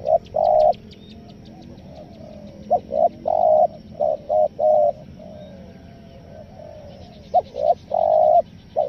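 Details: Spotted dove calls in the 'nguku selang gagap' stuttering style, used as a lure for wild doves: mellow mid-pitched coos in broken clusters of short and drawn-out notes, with faint high chirping from other birds and low background rumble.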